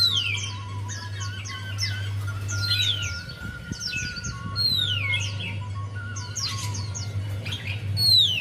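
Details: Javan white-eye song used as a lure to coax a quiet bird into singing: rapid, high whistled notes and downslurred sweeps in dense overlapping bursts, with a steady low hum underneath.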